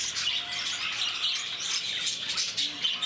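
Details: Shrill, nonstop chatter from captive lovebirds at Bangalore's Bannerghatta Zoo: many high, grating squeaks blending into a dense, pulsing chorus.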